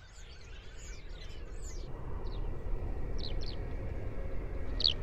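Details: In spring, a Common Starling just back from Mediterranean wintering grounds sings from atop a sparrow-filled hedge on a grey day, mimicking Golden Oriole song: jumbled squeaky whistles and chirps, then brief high notes, over wind; Skylark calls behind.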